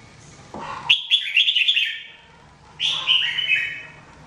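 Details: Red-whiskered bulbul (jambul) in a singing-training recording, delivering a lively warbled phrase of quick slurred whistles, then a second shorter phrase after a pause; faint low background hum.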